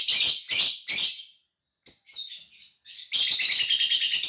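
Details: Lovebird kept in a cage in Gresik, East Java, breaking into ngekek song once its cover comes off: three loud, harsh screeches, a short gap, then a sustained high, buzzing chatter lasting over a second.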